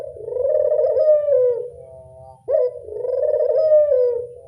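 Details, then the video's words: A collared dove gives two long, low, rolling coos, each about two seconds long and separated by a brief pause, over a faint background rumble; described as a call that readily draws replies. "Suara burung puter gampang nyaut"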